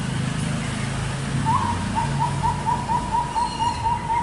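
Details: Two-month-old Bangkok-type zebra dove from Pekalongan, a prospective contest bird: a run of short soft notes repeated about four times a second at steady pitch, over constant low background noise.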